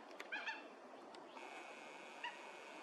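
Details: Mandarin duck drakes at a neighbourhood pond in January, out of cover for courtship display, filmed from a distance; short, sharp whistled notes: two in quick succession, then a lone note about two seconds later, over a steady high hum.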